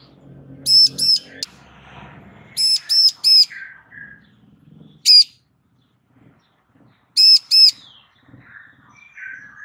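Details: Female Bar-winged prinia calling a male so he will respond. Loud rasping notes come in groups of two, three, one and two, with soft chirps and a low rumble early on.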